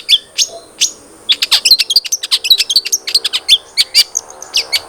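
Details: Long-tailed shrike lure song for getting a captive bird to start singing: a few spaced sharp chirps, then a fast, dense chatter of high, squeaky, varied notes running to the end.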